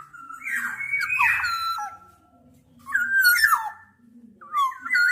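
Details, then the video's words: Black-naped oriole producing drawn-out, nasal, whistled glides mixed with harsh, grating notes, in three bursts with faint low hum behind. "Tiếng chim Vàng anh Gáy đen"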